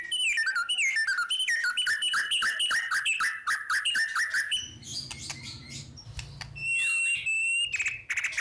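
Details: White-rumped shama in a long unbroken rolling song, ngerol style, used as a lure to stimulate other birds: rapid, varied whistled phrases tumbling up and down, later mixed with sharp chips and a low background hum.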